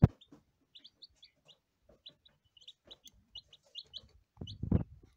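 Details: Quick bursts of thin, high chirps from day-one lavender Ameraucana chicks, some peeps paired, with faint scratching and a louder rustling bump near the end.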